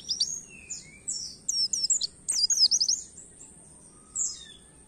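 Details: Oriental white-eye singing a canary-like song, used to stimulate other songbirds: short bursts of fast, high, sweeping twitters, a couple of soft lower whistles, then a final brief phrase over a steady hiss.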